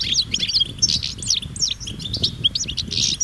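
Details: Wild European goldfinches in a group chorus of mating and readiness calls to stimulate male song: rapid sliding chirps and tinkling notes packed closely, a soft low rumble in the background.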